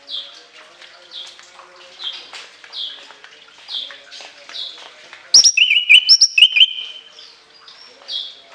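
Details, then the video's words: Shrill orange-headed thrush song with long fill: a rapid flurry of loud slurred whistles and trilled notes in mid-clip. Softer, evenly repeated high chirps sound throughout the background. "TEMBAKAN LENGKINGAN ANIS KEMBANG ISIAN PANJANG SEGUDANG"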